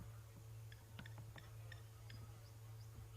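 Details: A Blacksmith Lapwing in the Sabi Sands area during an afternoon safari drive in September gives sharp metallic ticks, about six in three seconds and unevenly spaced, like a hammer on an anvil, over a steady low engine hum.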